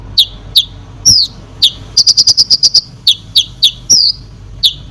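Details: Lively konin song used to stir up other birds: spaced sharp chirps, then a rapid run of about seven clipped notes, followed by more downslurred high whistles over a faint low hum.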